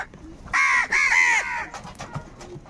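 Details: Crow calling while crows fight over food, in anger: two strong, rasping caws close together, the second slightly longer, followed by faint distant calls.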